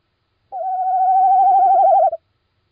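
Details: Little owl calling at night, recorded 17 March 2016 at 01:56: one drawn-out, level, slightly wavering hooting note lasting about one and a half seconds, clear against a silent background.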